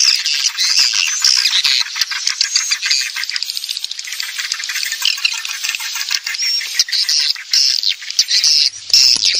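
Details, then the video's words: Swiftlet lure call played to attract swiftlets: a dense, continuous twittering of rapid high chirps and buzzy clicks, with overlapping callers and brief whistled notes near the end. "Call Swallow Birds tiếngchimén เสียงนกนางแอ่น"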